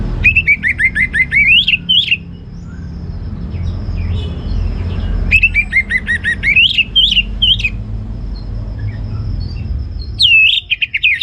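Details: Orange-headed thrush in full ngeplong gacor song: two long bursts of rapid, varied whistled notes, each with rising slurs and sharp high trills, separated by quieter gaps. A short whistled phrase returns at the end over low rumbling background.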